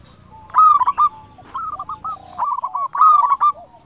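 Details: Local zebra doves used as a lure to make other doves answer quickly. A loud bird gives short phrases of bubbly, rolling coos. A fainter second dove answers with similar phrases between them, in a quiet setting.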